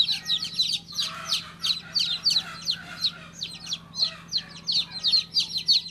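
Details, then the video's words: Newly hatched chick of domestic chicken chirping: shrill, slightly falling peeps, about three per second, uneven spacing, with a soft steady hum in the background. "Cutest baby chick chirping sound"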